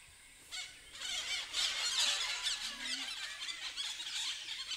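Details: Red-breasted parakeets (Psittacula alexandri) in Huai Kha Khaeng Wildlife Sanctuary, Thailand, filmed from a hide, give harsh, rasping squawks that overlap in a noisy, continuous chatter after a brief quiet start.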